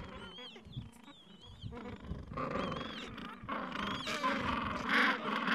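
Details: Gentoo penguins tending nests and young chicks in a Falklands colony on a mild afternoon; braying calls start sparse, then swell into louder overlapping harmonic squawks near the end.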